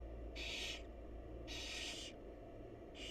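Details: Wild barn owls in a monitored nest box as the mother feeds her chicks: harsh, breathy hissing screeches about half a second long, three bursts repeated roughly every 1.3 seconds over a steady low hum.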